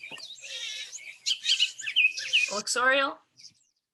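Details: Bullock's Oriole (Icterus bullockii) song: harsh chattering notes leading into a few clear, slurred whistles, with a brief voice-like harmonic sound near the end.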